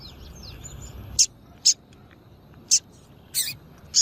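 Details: Double-collared seedeater female call for exciting males: faint background whistles give way to five sharp, high-pitched chips, spaced unevenly, one slightly drawn out.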